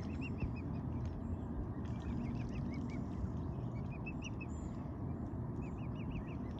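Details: Mute swans with cygnets six weeks old, feeding on seeds after the cob drove off a snapping turtle; soft high arched peeps come in quick runs of three to five throughout, against steady loud low background noise.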